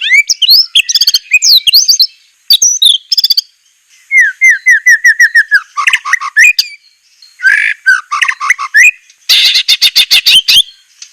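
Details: White-rumped shama song from a masteran training recording for captive birds, in a harsh 'tembakan kasar' style. Loud, varied whistles, sharp upslurred notes and rapid rattling bursts, broken by short pauses.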